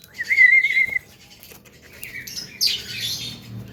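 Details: A short wavering whistle lasting under a second from a caged, talkative young Javan myna, followed by a harsh hissing burst.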